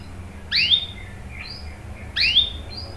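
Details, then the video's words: Canary calls used as a lure to set other canaries singing: two bright, sharply swept chirps about a second and a half apart, with a thin high whistle between them. "PANCINGAN KENARI GACOR cuit cuit bikin NYAUT ikut BUNYI NGEROL PANJANG ¦ CANARY SINGING"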